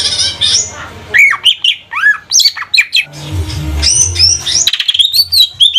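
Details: Lesser green leafbird, a Banyuwangi bird of the 'trotol' or 'bahan' type, singing as a lure to set other birds singing: varied high whistles, rapid chirps and squawky notes in quick bursts, with low rumbling noise in the middle.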